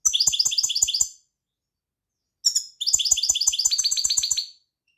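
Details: European goldfinch singing: two bursts of rapid, tinkling notes repeated about four per second, bright and high-pitched, separated by a short pause.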